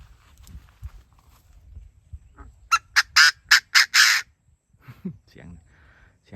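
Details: Chinese francolin crowing in a field at about 17:30 on 24 July 2024, during francolin luring, in a burst of six loud, harsh, rasping notes, about four per second; a man talks before and after.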